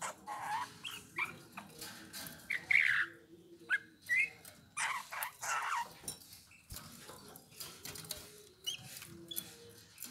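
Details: Eurasian bullfinch song of creaky, slightly buzzy notes mixed with brief thin whistles, delivered in irregular bursts about a second apart over ten seconds, with faint rustling and clicking behind.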